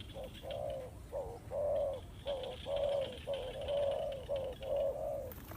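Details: Spotted dove used for decoy trapping gives a run of mellow, hollow coos, some clipped and others drawn out, roughly two each second with almost no gaps, over faint background hiss.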